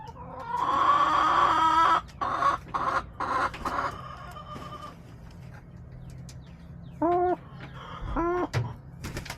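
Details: Backyard hens, recorded March 30, 2024, give loud rasping clucks in quick bursts for several seconds, then pause before two separate arched, rising-falling clucks, with clicking and a low background hum.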